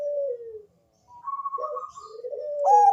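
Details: Bangkok-type zebra dove with a thick, bass voice, singing to lure other doves: a falling coo, a steady higher drawn-out tone, then a coo leading into the start of a pulsed phrase.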